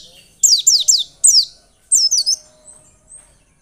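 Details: Lure recording of a white-eye meant to stimulate singing: four quick, shrill, downward-sliding notes, then a short tangled cluster of high twittering notes that fades into softer faint chirps.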